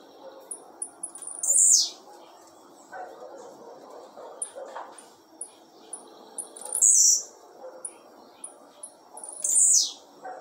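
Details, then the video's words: Captive blue-black grassquit put outside at 5:15 in the afternoon on a Tuesday, giving three sharp, buzzy, high phrases that drop in pitch about every three seconds, with thin ticks between them over a low background murmur. "TIZIU LUXO TOP ASSIM COMO VC NUNCA SHOW SEUS CANTOS SUA FIBRA CURTA"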